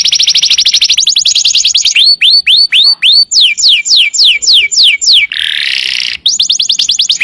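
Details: Master recording of a canary singing freely, used to train other birds. A very fast high trill leads into a series of repeated falling swoops, then a row of descending whistles, a short harsh buzz, and another rapid trill.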